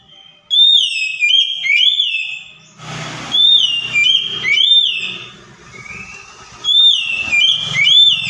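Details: Provocation song of an Oriental magpie-robin (kacer), aimed at a bird that has stopped singing: rich whistled phrases of gliding, dipping notes repeated back to back, broken by a short broadband knocking noise.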